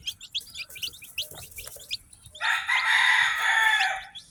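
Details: Newly hatched farm chicks, rapid high peeps for two seconds, then a loud, harsh, sustained call dominates the rest.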